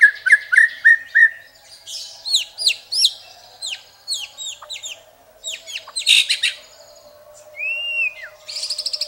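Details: Murai batu, the white-rumped shama, in a varied rich-filling song: four short descending whistles, then many sharp downward-swooping notes, a dense noisy burst, a smooth arched whistle, and a fast buzzy trill at the end.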